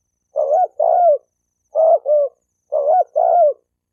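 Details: Spotted dove cooing used to provoke males and females to fight: three paired coos, each a brief note then a fuller descending one, spaced about a second apart in otherwise quiet surroundings.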